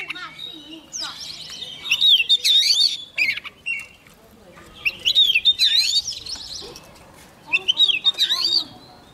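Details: Young Oriental magpie-robin in full song as a wild bird nears, delivering three phrases of twisting, warbled whistles with quick chirps in between, over a faint murmuring background.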